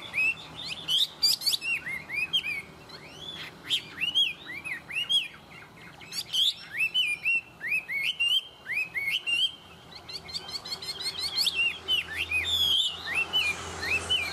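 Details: Tame Chinese hwamei, described as singing well, delivering a loud, varied song of rich whistled phrases, slurred notes and rapid repeated trills in quick bursts, with a brief buzzy noise near the end.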